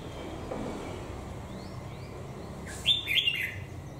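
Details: Caged red-whiskered bulbul of the crested 'Mào Đá' type, kept over a year in a cage: after quiet background, a loud burst of liquid, warbled whistled notes near the end, two or three quick phrases.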